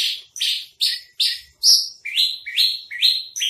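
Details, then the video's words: Javan (Horsfield's) bush lark, a bird kept for sale, singing a quick run of bright, high, slightly buzzy notes, about two or three each second, some dropping and some rising in pitch. "masteran branjangan trotol"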